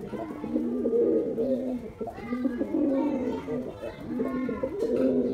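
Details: Male white domestic pigeon performing among other pigeons; steady low rolling coos repeat in dense, overlapping rounds, with some background noise.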